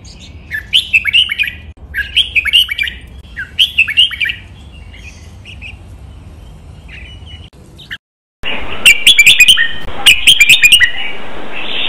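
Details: Red-whiskered bulbul training song for copying, doubled "berl" style with counted phrases, Pa La-u forest tune; three repeated warbled phrases, quiet scattered notes, a brief silence, then louder bubbling phrases over steady hiss.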